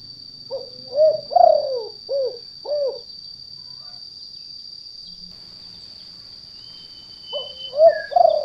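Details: Wild spotted dove calling, a lure call of the 'kuk 2' type for trapping in gardens or rice fields: a phrase of low soft coos, a pause of several seconds, then the phrase starting again, over a steady high whine.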